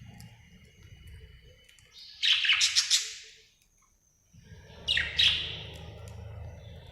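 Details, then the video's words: Happy budgerigar giving two short bursts of bright, scratchy chirps separated by a quiet gap, with a low background rumble throughout. "Happy budgie chirping sound"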